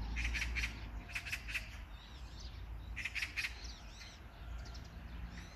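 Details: Magpie giving loud, harsh chak-chak-chak calls in three clear groups of three rasping notes, with faint twittering of small birds in between.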